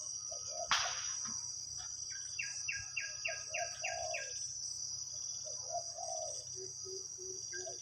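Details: Spotted dove lured by a decoy, a wild forest bird with a deep voice: low mellow coo phrases in short bursts, while another bird sings a run of repeated chirps above and a steady shrill insect drone runs throughout.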